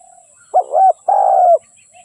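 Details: Spotted dove used as a decoy bird for trapping wild doves: a single cooing phrase, a short wavering note followed by a longer, steady, low hooting note, with quiet pauses before and after.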